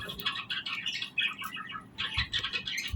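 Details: Parakeets chirping and singing in the morning, a steady stream of quick, overlapping high chirps and twitters from several birds that hardly pauses, soft and slightly distant.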